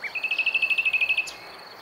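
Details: Common nightingale song recorded near Montana, Bulgaria, 23 May 2020: a rapid, evenly spaced rattle of about fourteen bright repeated notes in a little over a second, ending in a short high flick, over a faint steady hiss.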